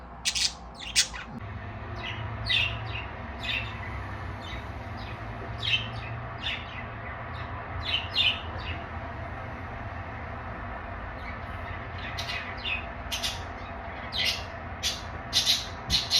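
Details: Pet budgerigars, three of them being put back into their cage to sleep, chirp in quick, scratchy bursts against a steady low hum.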